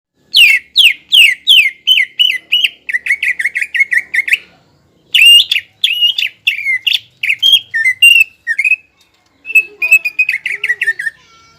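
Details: Greater green leafbird in full, energetic song, meant to arouse a rival leafbird's aggression and provoke it into answering. Rapid series of bright, chirping and whistled phrases, repeated in quick bursts, with short pauses between them.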